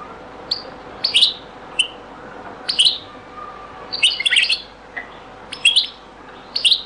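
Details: European goldfinch in a very old recording of the Beni Messous les avocats (zaboka) song style: scattered short bright chirps and brief twittering bursts with pauses between them, over a faint steady hum.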